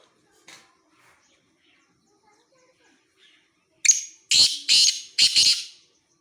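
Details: Black francolin calling at Khushab: after near silence, a loud run of four harsh, grating notes in quick succession, each rasping burst lasting about half a second.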